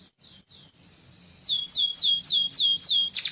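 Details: Yellow canary, a few faint soft notes, then a loud regular series of high whistled notes sliding down in pitch, about four per second.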